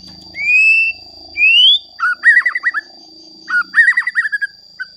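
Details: Song of a white-rumped shama meant to stir rival shamas: two long rising whistles, then two bursts of rapid warbled notes, over a faint constant high tone.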